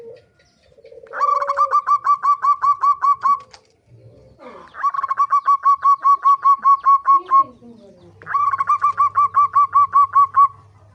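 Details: Zebra dove singing, used as a lure to make birds sing: three long runs of quick, rhythmic cooing notes, each bouncy and slightly rising, separated by short gaps, with a faint low hum near the end.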